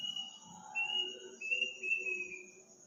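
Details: Eerie night call of an unknown bird in a village at midnight on Takbiran night: a chain of high, pure whistles, each note stepping a little lower and slurring down, with steady cricket trilling throughout.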